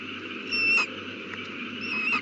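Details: Owl at the nest with a newly hatched chick, evening of 18 April 2019 around 8:32 pm: two drawn-out, slightly falling tonal calls about 1.3 seconds apart over a steady background hum.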